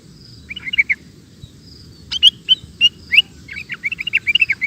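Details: Sooty-headed bulbul singing ropel style: soft chattering notes, then sharp loud chirps and a long run of rapid, evenly spaced warbling notes against steady low background noise.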